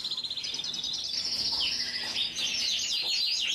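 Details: Belgian Frill canary song of rapid high trills and quick repeated notes, with sweeping syllables and steady background hiss.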